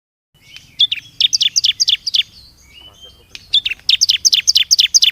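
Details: Bar-winged prinia (ciblek) lure call used to attract birds: two bursts of rapid, sharp high chirps, roughly eight to ten notes each, dropping slightly in pitch, separated by a short quiet gap.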